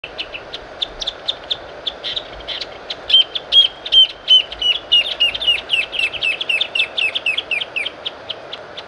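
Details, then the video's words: Greater thornbird (Phacellodomus ruber) song: a quickening series of sharp, high chips swelling into a loud, rapid chattering run, notes about every third of a second. "CANTO DO GRAVETEIRO"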